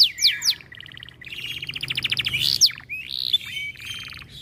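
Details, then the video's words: Canary in breeding condition, singing more aggressively on hearing other birds: fast varied song of high sweeping whistles, rapid buzzy trills and sharp chips, phrases changing every half second. "Kenari Gacor Mental Juara Birahi Tinggi Makin Galak Saat Dengar Burung Lain Bunyi"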